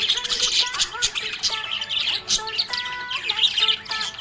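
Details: Budgie chirping happily in a fast stream of harsh, buzzy twitters and clicks, with faint melodic tones in the background.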